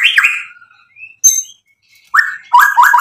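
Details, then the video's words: White-rumped shama singing to stir up rivals: a bright falling whistle, a pause with faint notes, then a few loud, quick, rising slurred phrases. "MURAI BATU GACOR bikin EMOSI lawan jadi NYAUT BUNYI BONGKAR MATERI ISIAN ampuh buat PANCINGAN murai"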